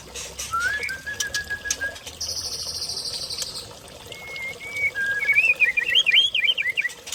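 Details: White-rumped shama (Murai Aceh), Lamno forest, Aceh Jaya: a long level whistle, then a pause, then a rapid run of varied, warbling whistled notes, with a buzzing insect briefly overhead and a low background hum.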